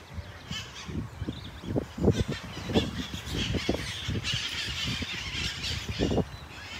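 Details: Red-masked parakeets in Kapiolani Park, Waikiki, Honolulu, Hawaii, in July 2024 give harsh, grating screeches in quick irregular bursts, several birds overlapping, with a steady low hum and distant chatter behind.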